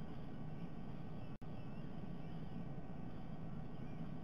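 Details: A steady low rumble like a passing aircraft or distant traffic fills the whole recording, with one brief dropout near the middle and no animal calls.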